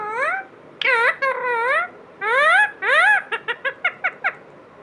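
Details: Talking parrot mimicking speech indoors: several drawn-out, voice-like syllables with rising and falling inflection, followed by a quick series of short, clipped giggle-like notes near the end.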